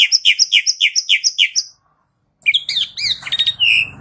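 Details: Asian pied starling repeating a sharp two-part chirp about a dozen times in quick succession. After a short silence comes a varied, harsher warbling phrase.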